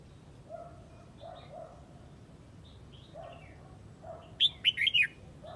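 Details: Huế-type red-whiskered bulbul calling the flock: soft low hooting notes from another bird repeat in the background before a loud, quick burst of four bright, slurred chirps near the end.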